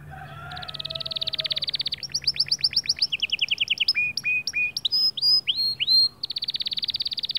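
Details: Male white canary singing to motivate other birds: long fast trills of high notes, then series of rising sweeps and clipped whistles, ending in another rapid rolling trill.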